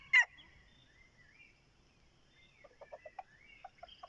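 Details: Decoy red junglefowl: a sharp, brief harsh note at the start, then a quiet pause and a run of short, low clucks repeated about every quarter second.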